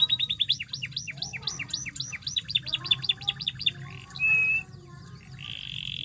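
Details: Canary song for drawing out a quiet canary: quick hooked chirps in pairs, a short rapid trill, a pure held whistle, then a steady buzzy tone, over low hum.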